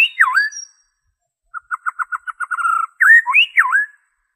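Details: White-rumped shama song without inserted imitations, used to make captive birds sing and to lure wild ones: a swooping downslurred whistle, a stuttering series of short notes speeding up, then looping whistles.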